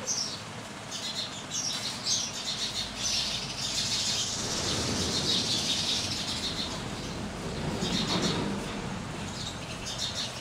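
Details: Chattering chorus of house sparrows in India, rapid high chirps crowding together, broken midway and again near the end by broad rushing, fluttering noise, possibly wingbeats or wind.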